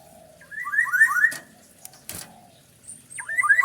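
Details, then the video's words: Black-naped oriole phrases of rapid downward-slurred whistles in tight clusters, broken by two sharp clicks and a pause before the next run. "kepodang unik super galak"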